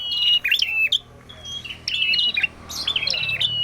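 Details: Prinia (prenjak merah) in full song, giving bursts of high, sharply stepped whistled notes with quick upward flicks, separated by short pauses.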